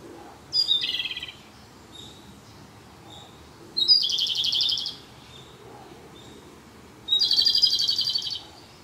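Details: Japanese robin singing in a dark spot on the last of its six days at a birding site: three song phrases roughly three seconds apart, each a high sharp note followed by a quick dry trill about a second long.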